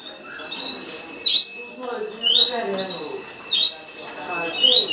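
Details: Green-winged saltator (Saltator similis) gives bright, quick whistled song phrases about once a second, over a steady thin whine and low murmuring voices.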